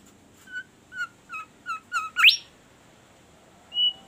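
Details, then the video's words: Melodious, actively singing bimoli bird: five short two-part chirps with a falling lower note, spaced evenly about every third of a second. They climb into a bright upward-sweeping squeal; after a pause comes a single high whistle. "burung bimoli gacor merdu suaranya"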